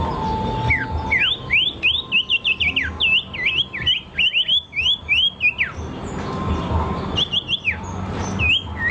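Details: Rapid bird song made of sharp sweeping whistled notes, rising and falling in quick succession for several seconds, then sparser notes after a pause; constant low rumble behind.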